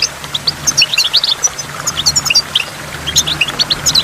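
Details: By a waterfall with water drops, a goldfinch gives scattered high, bright chirps and short twittered notes, spaced irregularly across a few seconds with quieter gaps between bursts.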